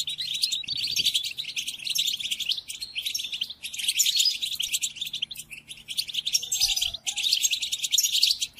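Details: Captive goldfinch training song: energetic high twitter and trills in long bursts with short gaps, plus a low hum and occasional faint low noise.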